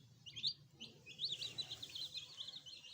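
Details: Young chicken chicks, a fresh addition kept as pets, utter bright high peeps, a few separate notes first, then a crowded run of overlapping cheeps, over quiet low rumble.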